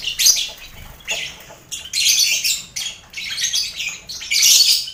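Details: Colony of caged lovebirds kept together with finches and quail, a lively aviary recording made to train contest birds: shrill, grating screeches in dense bursts roughly every second, with short gaps between.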